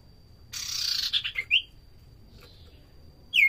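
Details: Common iora song meant as a lure. A long grating buzz breaks into a few choppy notes and a bright whistled slur, then a quiet gap before a final falling whistle.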